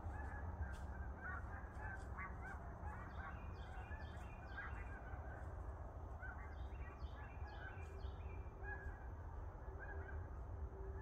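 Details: A large migrating flock of snow geese in Pennsylvania: a continuous chorus of nasal, honking yelps, overlapping constantly, over a steady low rumble of wind.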